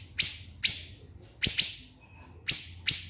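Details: Piercing high strikes from a siri-siri bird, recorded as contest training material: single and paired shrill notes that fade quickly, with short silent gaps between the bursts.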